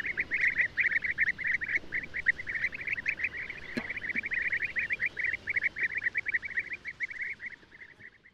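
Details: European bee-eaters give a dense stream of short, rolling, liquid notes, repeated rapidly and overlapping throughout, with several birds calling together; a faint background hiss lies underneath.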